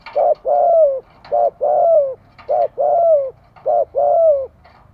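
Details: Spotted dove decoy calling to attract wild birds, a steady series of paired coos: a short hollow note, then a longer coo sliding downward, repeated about every second.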